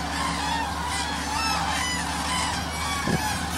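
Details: A large flock of common cranes in the Hula Valley, Israel, in January, fed maize kernels scattered by a tractor: many overlapping bugling, trumpeting calls ringing continuously over a steady low engine drone.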